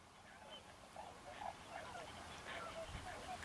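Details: Tundra Swans in a flock at Forsythe NWR, New Jersey, give soft, mellow hooting and bugling notes that overlap irregularly, with several birds calling at once against a low background hum.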